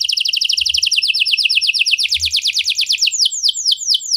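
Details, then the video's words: Canary, 'cengkok mewah' song: a fast, high trill of repeated notes that gradually slows into broader, separated falling sweeps. "Burung Kenari Mana Saja Pasti Ikut Gacor Setelah Dengar Kenari Cengkok Mewah Ini"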